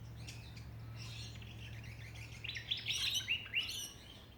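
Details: Australian songbirds in a backyard at Ballajura, Western Australia: a quiet steady low hum gives way after two seconds to a lively burst of high, quick twittering chirps and short warbled notes.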